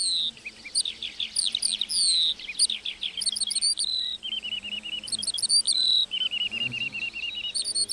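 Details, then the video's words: Meadow lark song, a rapid stream of high twittering notes and downslurred whistles, broken by runs of evenly repeated buzzy trill notes, steady and unbroken. "Singing lark in the meadow"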